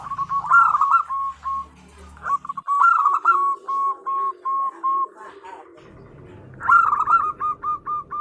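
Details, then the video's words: Local female zebra dove calling for a male as a lure; trilled opening phrases then regular short staccato coos, repeated in bouts with brief pauses. "Suara Perkutut Betina Memanggil Jantan - Pancingan Gacor || The female turtle dove calls the male"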